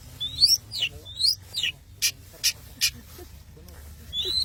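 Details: Long-tailed shrike from Madura, singing actively: sharp high whistled notes slurring downward in pairs, then three dry broadband rasping bursts, ending with another thin whistle.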